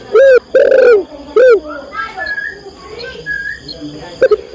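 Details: Female spotted dove calling the male: three loud, hoarse, harmonic coos in quick succession, the middle one longer, followed by faint chirping of other small birds in the background.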